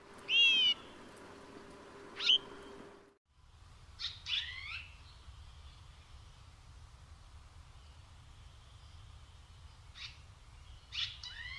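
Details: Red-rumped swallow in Córdoba, Spain, giving a few short, high, slurred chirps at irregular intervals, some doubled into quick twitters, over a faint low hum.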